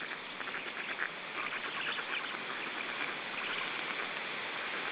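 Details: Feeding time for three-week-old black stork chicks in Estonia, 14 June 2013: a sustained, grating, quack-like chatter of begging calls, rapid pulses running together with a few stronger accents early on.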